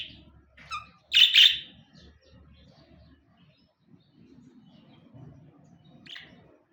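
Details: Two pet budgerigars kept indoors; a quick double burst of harsh, high chirps stands out, followed by a quiet gap and one softer chirp near the end, over faint low room noise.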